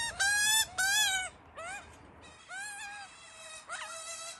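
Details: Hungry Australian magpie chick that missed out on food, begging with loud, rich, wailing calls, two long steady cries followed by shorter rising and wavering ones, harmonically full and strained.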